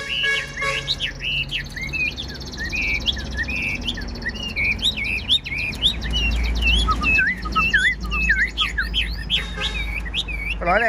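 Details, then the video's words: Tamed Chinese hwamei kept as a cage bird singing in a room: rapid twisting whistled notes and warbles, over steady low hum and background music and voices. "Đuôi xòe hót không bỏ mỏ, chất giọng cực hay"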